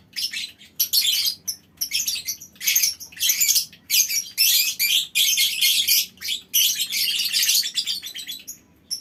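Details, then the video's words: Lovebirds in a colony in a small aviary, calling together in long chattering bursts: harsh, high, buzzy squawks packed into rapid runs, with short pauses between bursts and several birds overlapping. "Suara Lovebird Koloni Bikin Burung Lain Ikut Ngekek Panjang"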